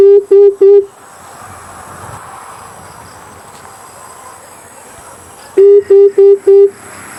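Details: Amethyst brown fruit dove call used as a hunting lure: quick runs of three and four low, even hoots, close together, then a quiet pause with faint insects and a steady high background hum.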